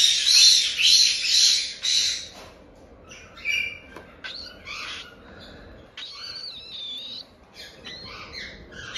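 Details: Cockatiel chicks around one month old in Tokachi, Hokkaido, beg with three loud raspy 'jaa-jaa' bursts, then quieter scratchy calls and a few thin rising whistles.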